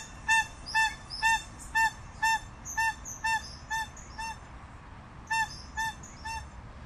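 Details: Crested guan producing a series of honks that fade gradually, a second-long pause, then three more; faint high twittering of other birds fills the background.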